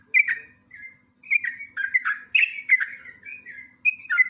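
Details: Sooty-headed bulbul gives a lively lure song of warbling, slurred whistles: level notes alternate with sharply falling ones in near-continuous chatter, over a faint low hum.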